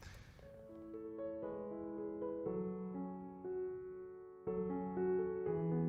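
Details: Gentle piano music plays softly throughout, with chords shifting every second or two and no animal calls.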